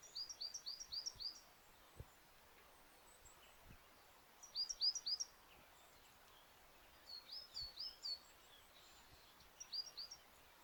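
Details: Little grebe in winter at the Rouxique lagoons in Galicia: several bursts of rapid, very high, thin notes, each note dropping in pitch, with quiet gaps between bursts and a few faint low knocks.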